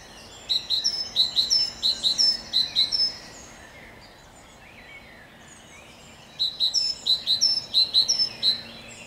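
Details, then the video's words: Great tit singing on 7 June 2021: two bursts of high, bright two-note phrases, each repeated about six times quickly, separated by a pause of roughly three seconds, over a steady low background hiss. "Śpiew sikorki bogatki"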